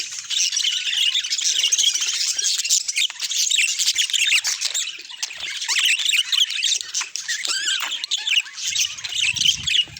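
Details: Budgerigars recorded naturally, chattering nonstop in shrill, squeaky warbles and rapid chirps from several birds together; a faint low rumble appears near the end.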